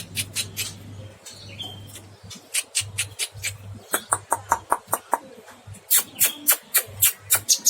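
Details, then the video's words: Cucak kinoy singing actively in long bursts: sharp, rapid chipping notes delivered in quick runs with brief pauses, growing denser toward the end, over a steady low electrical hum. "Burung cucak kinoy gacor"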